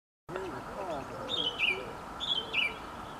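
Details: Birdsong in hotel grounds at Dundalk: a high whistled phrase, a steady note followed by a looping downward flourish, given twice about a second apart, over broad background rumble and low murmur.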